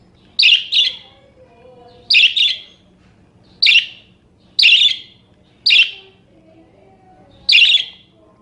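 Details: Budgerigar sounds used as a tutor for other birds: short rasping chirps, often paired in quick doubles, repeated irregularly every one to two seconds, with faint thin whistles and hum underneath.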